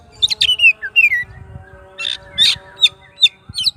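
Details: Oriental magpie-robin in strong singing form calling its rival: sharp whistled notes and downslurred phrases around high pitch, bursts spaced irregularly with brief pauses.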